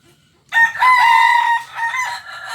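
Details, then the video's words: Kukuak Balenggek rooster, a singing chicken native to Solok, West Sumatra, crowing: one long, loud, harmonic crow that starts abruptly, holds steady through a drawn-out middle, then drops and trails off in fainter, wavering layered notes. "Ayam kukuak balenggek ayam asli solok sumbar"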